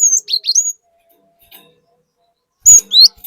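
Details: Cinereous tit in 'nembak' song on a lure recording: paired falling slurs end a high whistle, then after a pause a new phrase begins with a bright whistle and a rising note.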